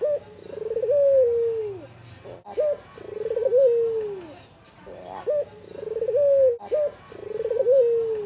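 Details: Soft coo phrases from an albino Barbary dove, kuwor besar style. Each phrase opens with clipped hiccup notes and runs into a drawn-out coo that falls at the end, repeated roughly every two to three seconds.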